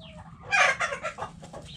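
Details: Backyard hens in a coop cluck in a quick burst of five or six short, rough, broadband notes falling in strength, over a low steady background hum.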